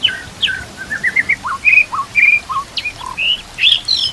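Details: A white-rumped shama sings a training song with kapas tembak and Cililin canary phrases: varied whistled notes jumping between low and high pitches, clear rising and falling slurs spaced closely.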